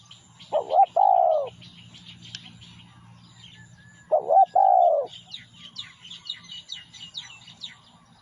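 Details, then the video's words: Spotted dove song played as a lure recording: two low, hollow cooing phrases, each a short wavering coo then a longer steady one, separated by a pause, with thin high chirps from other birds between them. "tiếng chim cu gáy mồi kích bổi nhanh nổi cực mạnh"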